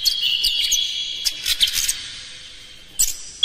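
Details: Oriental magpie-robin lure song meant to excite other kacer into singing and tail-spreading: dense, hard phrases of high chirps and whistled notes over a steady high tone, fading to quieter calls before a sharp final burst.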